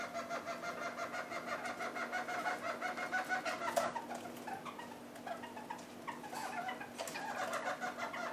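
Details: A feeding pair of red-crowned parakeets on half-ripe willow seeds makes fast, repeated clucking chatter. It pauses briefly midway amid louder snapping and rustling sounds, then resumes in quick bursts.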